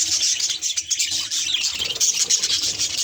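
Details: Short spell of budgerigar chatter at a mirror, with rapid high squeaky chirps and a rough warble.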